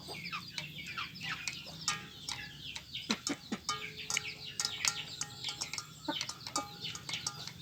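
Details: Village chickens competing for feed give rapid, busy clucks and high chirping notes, with a few longer steady tones among the chatter.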